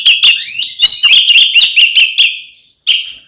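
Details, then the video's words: Oriental magpie-robin ngeplong fighting song for provoking other magpie-robins: a rising whistled slide into quick repeated sharp whistles over a steady tone, then a brief whistled note after a pause. "SUARA BURUNG kacer gacor NGEPLONG TARUNG ini paling AMPUH buat PANCINGAN KACER agar EMOSI"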